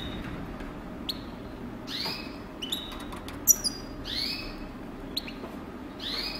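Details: European goldfinch kept as a breeding bird, uttering repeated upward-sliding whistled notes, some short and thin, others longer and ringing, with scattered ticks and light background noise.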